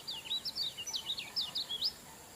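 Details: Lemon-bellied white-eye (kecial kuning) singing in the energetic "super ngejos" style: a quick run of high, sweeping whistled notes, rising and falling and twittering over about two seconds, with soft background noise.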